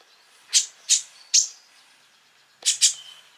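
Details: A sunbird in a recording meant to provoke other sunbirds into singing gives five sharp, very high chipping notes in two bursts, three spaced evenly and then a quick pair, over a quiet background.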